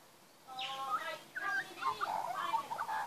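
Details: Magpie in a backyard where young are being fed, giving a quiet start, then rich warbling with harmonic, fluty notes and quick slurred phrases that continue steadily to the end.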